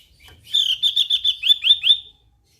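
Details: Javan grey-throated white-eye in lively song: one clear phrase of about eight rapid, evenly spaced high chirps, the later ones becoming sharper upward-swept notes, lasting under two seconds.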